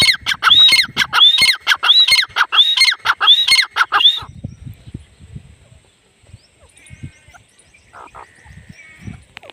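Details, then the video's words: Female grey francolin (teetar) calling loudly for about four seconds, with five or six repeated phrases of a sharp whistled upsweep plus rasping notes, then the calls stop, leaving quiet low rumbling. "Grey francolin teetar sound | Female teetar ki awaz"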